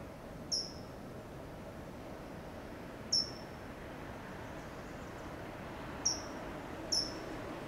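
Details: A California towhee on a low perch in Del Monte Forest, California, gives four sharp, high "tsip" calls, each a brief downslurred chip, spaced irregularly a second or more apart over a steady soft hiss.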